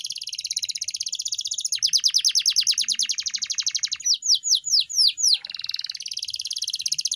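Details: Canary song played as training material to teach pet canaries to sing and provoke quiet birds: rapid high buzzy trills rolling continuously, breaking into several clear descending whistled sweeps, then returning to a fast, even, rattling trill.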